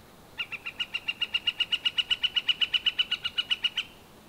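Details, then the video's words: Northern flicker giving a call series. The quick, evenly spaced notes start softly, swell, then stop abruptly after about three and a half seconds. Wood-pecking is also named for this recording. "Northern Flicker call and wood-pecking"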